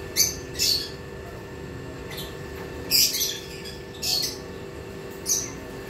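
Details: Pied blue conures and sun-cheek conures, pet birds, giving harsh, screechy squawks in short bursts, about six calls spread unevenly over several seconds, with a steady low hum in the background.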